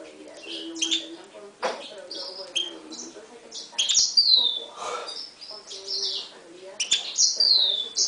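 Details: 2011 Himalayan goldfinch × canary mule, heard with a Timbrado canary. Varied high twittering includes descending whistled slides and quick chips, with a brief noisy burst. Low humming tones continue in the background.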